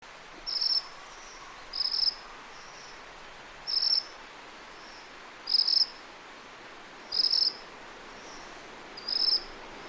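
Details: Two Ryukyu minivets flying through forest, recorded on a ZOOM M3 MicTrak in 32-bit float: thin, very high, short buzzy trills repeated every one to two seconds over steady soft background hiss.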